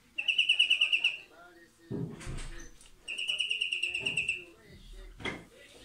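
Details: European greenfinch song: two rapid, even trills of about ten bright notes a second, each lasting about a second, separated by a few dull knocks and rustles.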